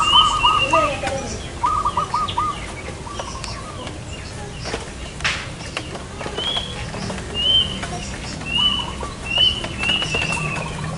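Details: Zebra dove being lured for trapping in front of a house: short rapid rolling coo trills repeated every second or two, with a higher whistled call from another bird, a sharp click and background noise.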